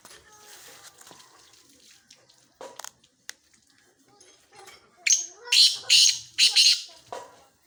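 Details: Male black francolin giving its breeding call: after faint clicks and murmuring, a loud burst of four harsh, rasping, high-pitched notes in quick succession, then a softer trailing note.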